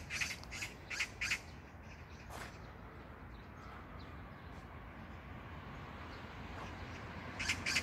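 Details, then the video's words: In a neighbourhood park in Incheon, South Korea, on 19 June 2022, a magpie gives short bursts of rasping notes at the start and end, separated by several seconds of low outdoor noise. "magpie sound(까치소리)"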